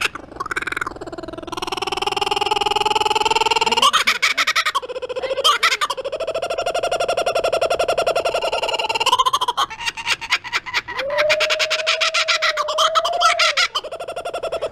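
A kookaburra's raucous laugh: harsh, rising hoots that break into fast, rolling chuckles, loud and bubbling before trailing off in a drawn-out note.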